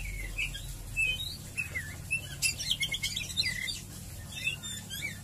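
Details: White-rumped shama (murai batu) ngeriwik ngeplong singing, meant as a lure to set birds singing: a continuous jumble of quick warbled slurs and chattering trills mid-clip, over a noisy low rumble.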